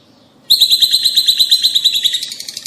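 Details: Rosy-faced and Fischer's lovebirds, calls aimed at stimulating mating: a sudden continuous, fast, buzzy chatter of evenly pulsed high notes running for over two seconds and fading slightly.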